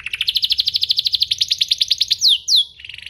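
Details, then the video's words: Domestic canary lure song meant to stir other canaries to sing: a fast, even rolling trill of rising notes about five per second, two loud descending sweeps, then a short buzzy trill. "Pancingan kenari biar gacor"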